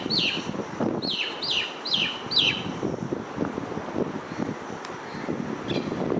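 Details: Starling sitting on an electric wire calls with four sharp descending chirps in quick succession, followed by a couple of faint notes, over constant low road noise.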